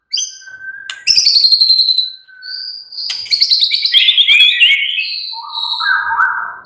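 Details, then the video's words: Caged white-rumped shama giving relaxed, energetic song: a steady whistled note, then dense high buzzy trills and fluty phrases, closing with a stepped lower warble. "murai batu sudah ikut NYRECET GACOR dengan kicau Santai Murai batu ini"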